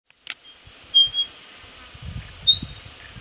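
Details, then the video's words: Vocal male spotted pardalote of the yellow-rumped Mallee subspecies (Pardalotus punctatus xanthopygus), Patchewollock Conservation Reserve, Victoria, giving thin, high piping whistles, a short pair of notes then another a second later, over low rumbling and a sharp click. "Vocal male Spotted Pardalote"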